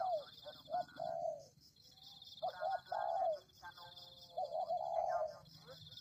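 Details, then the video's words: Spotted dove cooing as a lure for tekukur: three repeated phrases of quick double hoots ending in a long, slightly falling coo, evenly spaced, with a constant shrill background drone. "Pikat Tekukur"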